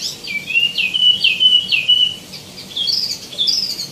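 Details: Lively song of the tieumi, or wambi mini, full of varied phrases: smooth, rolling whistled notes swooping up and down in a steady chain, then higher, thinner twittering toward the end, against a faint hum.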